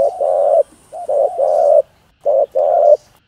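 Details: Spotted dove calls used to stir other doves. Three loud short-long coo pairs are heard, full and mid-pitched, with a brief pause before the last. A faint high electronic whine sits in the background.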